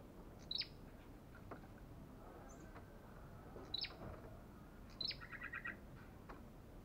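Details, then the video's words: Belligerent olive-backed tailorbird giving sharp, high chirps in three bursts a few seconds apart, the last followed by a short rapid trill, over a constant low noisy background. "The belligerent bird Orthotomus sepium"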